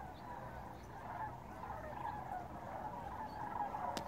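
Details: Crane flocks flying north overhead above the Rio Grande Bosque in Corrales, New Mexico; an unbroken chorus of rolling, gurgling calls from many birds, with a low rumble beneath and a brief sharp click near the end.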